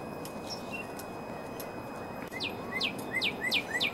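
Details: A Northern cardinal sings in April, a quick run of five clear, steeply falling whistles, nearly three per second, over a steady hiss of outdoor background noise.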